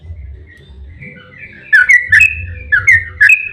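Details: Yellow-vented bulbul, a lure recording meant to set other bulbuls singing: soft thin whistles, then loud bubbly, liquid notes in quick pairs over a faint low hum.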